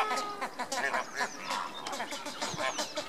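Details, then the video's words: A flock of Andean flamingos displaying on 29 April 2014 keeps up a dense, overlapping chorus of nasal, goose-like honks and grunts, calling continuously. "Andean flamingo display"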